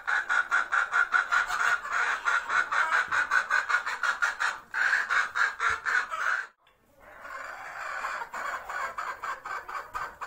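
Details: Hen's egg-laying song before laying, a steady series of loud, nasal clucks nearly three per second for six seconds, a brief pause, then a rougher, noisier continuation of clucking.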